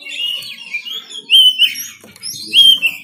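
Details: Harsh-style kacer (oriental magpie-robin) song from Banten, phone-recorded: a run of clear high whistles sliding up and down, with two louder pure whistled phrases about a second apart.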